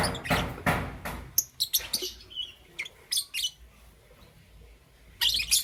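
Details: Caged lovebirds, green, yellow and lutino, chirping in the morning: sharp high chirps and short broadband bursts in quick irregular clusters, then a quieter stretch of scattered chirps before a final loud burst.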